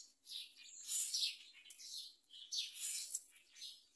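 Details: Young myna taking a large blue caterpillar from a parent gives rough, wheezy chattering in two long grating bouts with a short lull between them.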